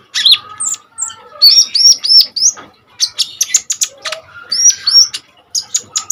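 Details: Common iora in energetic full song, used as a tutor for training other birds: rapid varied chattering of high sharp notes, bright upslurred whistles repeated in a short series near the middle, dense busy phrasing throughout.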